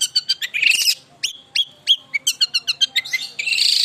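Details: Long-tailed shrike singing energetically: quick harsh chattering bursts alternating with clear slurred whistles, notes repeated several per second, ending in a dense scratchy rasping passage.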